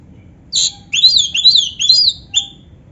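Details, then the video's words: Kacer (Oriental magpie-robin) in gacor song with canary isian, giving a quick series of clear, swooping whistled notes that rise and fall, ending in a short high note. "suara Kacer gacor isian komplit | Masteran Kacer ISIAN Burung Kenari"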